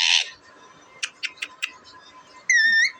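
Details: Pet deshi parrot recorded April 28, 2024: a short harsh burst opens, followed by four quick clicking taps and a clear wavering whistle with a steady low electrical hum underneath.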